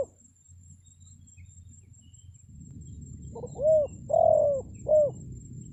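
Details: Decoy cooing of a spotted dove for attracting wild forest birds: a rumbling low background builds, then a short note and three deep coos arrive near the end, the middle coo longest.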